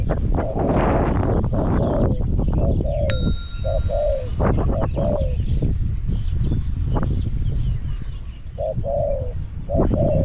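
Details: Caged Spotted dove used as a decoy to lure wild doves at Song Phi Nong: soft low two-part coos, a short note then a longer falling slurred note, repeated several times over steady clicking and rustling noise.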